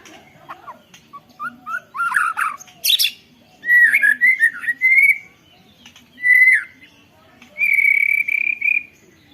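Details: White-rumped shama performing canary-fill song, filmed by phone: varied phrases of chips, sharp high squeaks and sliding whistles in separate bursts, ending in a sustained trilled whistle.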